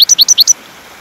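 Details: Goldfinch song used as a teaching recording for caged birds: a short, rapid run of four or five high, sweeping chirps alternating between two pitches, ending after half a second in silence.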